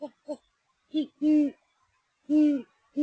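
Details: A great horned owl pair checks out a nest in Texas: the male gives deep, soft hoots, two quick short hoots, then one short and one drawn-out, repeating after a pause, with the female also hooting.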